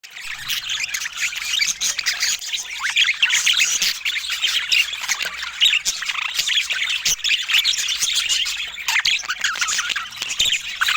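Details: Budgerigars filmed with fruit and healthy food in natural Scandinavian light, giving a dense, continuous chatter of overlapping warbled chirps, squeaks and short rising whistles from several birds, with no music or speech.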